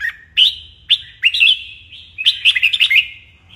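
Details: Red-whiskered bulbul in training for morning and contest singing, giving loud, clear whistled phrases that rise and fall, with bursts of rapid trilled notes in quick runs and short pauses between phrases.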